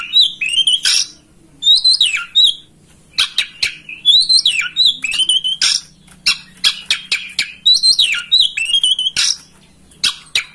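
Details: Oriental magpie-robin (kacer) master song meant to trigger tail-opening and singing in a kept bird: repeated bursts of warbled, bending whistles alternating with dry rapid clicks and ticks, about every two seconds.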